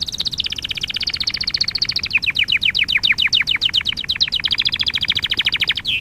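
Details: Canary song for canary training: a continuous fast roll of high chirped notes, shifting into deeper downward-swept syllables, then back to a quick even trill, ending with a falling slur.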